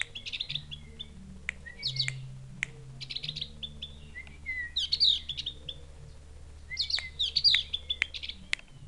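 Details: Javan grey-throated white-eye in Mount Wilis forest, its call likened to a chick calling its mother: repeated clusters of high, quick chirps and short downslurred notes in uneven bursts, over a constant low droning hum.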